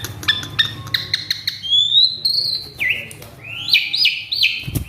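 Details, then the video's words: {'caption': 'Agitated male Asian pied starling mimicking varied sounds: a series of sharp clicks and tones, a long rising whistle, then a dropping note and repeated looping whistled phrases.'} "Si Jalu Emosi | Suren Ngamuk | Full Isian"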